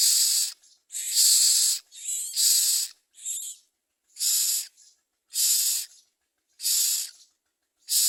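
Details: Common myna nestlings being brought food by adults, giving harsh hissing, broadband rasping bursts about half a second to one second long, repeated roughly once per second with short gaps between.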